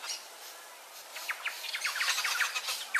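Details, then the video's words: Turquoise-fronted amazon (Amazona aestiva) chick begging while being fed by an adult: rapid, raspy squawks and squeaky chirps that grow busier and more insistent toward the end. "TURQUOISE-FRONTED PARROT feeding cub"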